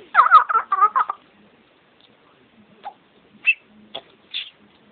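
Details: Pet bird singing with its owner indoors: about one second of rapid warbling, chattering notes, followed by scattered short chirps and squeaks separated by quiet gaps.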